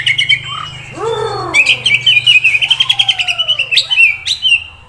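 Oriental magpie-robin singing varied clear whistles, swooping slurs and a fast run of repeated high notes, over a faint low hum.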